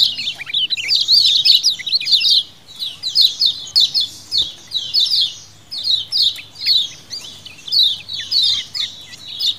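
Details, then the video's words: Colony calling of lemon-bellied white-eyes used as a lure, wild-style: a busy opening of overlapping high twitters, then regular high descending chirp bursts about every half second. "CIAKAN KECIAL KUNING KOLONI ALA ALAM BEBAS"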